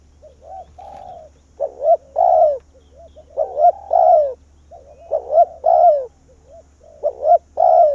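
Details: Decoy spotted dove luring wild doves, cooing in grouped phrases of quick double notes ending in a drawn-out descending coo, with soft quieter coos between phrases and a faint low hum.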